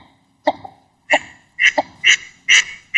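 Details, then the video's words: Northern shoveler duck recorded in its natural wetland habitat, giving about seven short, nasal, clipped notes in three seconds, coming faster toward the end. "Original Sound of a Northern Shoveler Duck"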